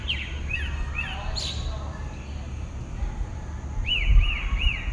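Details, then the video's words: At dawn in southeastern Brazil, a lone pale-breasted thrush gives a few slurred whistles. A quiet gap follows, then three quick arched notes, against a constant low-pitched noise. "A dynamic spectrogram of a dawn song from a pale-breasted thrush (Turdus leucomelas)"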